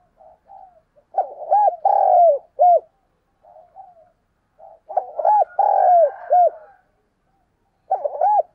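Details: Decoy spotted dove coos used for luring doves. Soft low preliminary notes lead into stronger phrases of quick coos, a long mellow coo and a brief closing note. Phrases return about every three to four seconds in a quiet setting.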